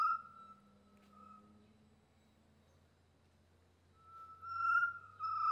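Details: Chestnut-necklaced partridge (Arborophila charltonii) call, recorded 1 January: a long, steady whistled note that fades, then a louder rising whistle near the end, with a low background hum.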